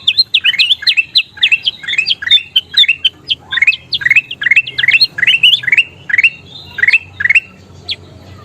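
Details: Energetic golden kutilang bulbul song used to train caged birds: dense runs of bright rising chirps for several seconds, then sparser single notes toward the end.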